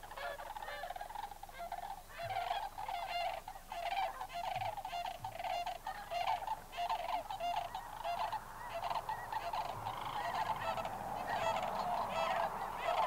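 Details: A large flock of Lesser Sandhill Cranes at Bosque del Apache in 2009 gives overlapping rolling, trumpeting calls, several each second, building to a steady chorus toward the end.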